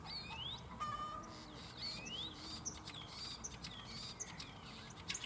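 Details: Two male common starlings singing in competition from a cherry tree at home in Germany, imitating other birds, chickens and frogs; varied whistled rising slurs, clicks and chirps in quick succession over steady low background noise.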